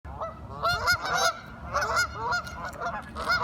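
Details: Several curious ducks talking together, giving harsh, nasal, honking calls in overlapping bursts with a steady low background rumble.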